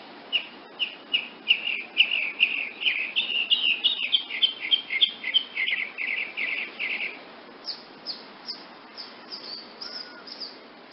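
A woodnymph hummingbird gives a rapid run of high, dry chips, about three per second for seven seconds, followed by thinner, higher squeaky notes.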